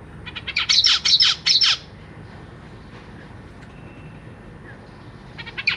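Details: Zebra finch nestlings fed by parents in captivity: a fast burst of harsh buzzy begging notes, a long quiet gap with faint background hum, then begging starts again.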